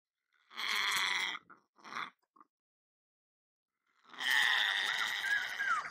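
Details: A pet lorikeet, recorded for entertaining parrots, gives a harsh screech, then two short squawks. After a silence a longer, rasping screech follows.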